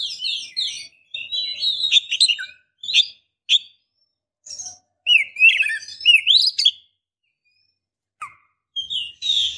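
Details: Oriental magpie-robin, a female summoning the male to stir him up, make him sing or court: a lively stream of varied whistles and chirps, then separate upslurred whistled notes with gaps between them.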